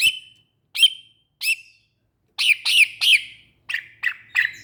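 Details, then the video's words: Greater green leafbird producing three spaced sharp notes followed by a fast, raspy triple burst and a quicker run of clipped chirps, high and piercing. "Burung Cucak Ijo"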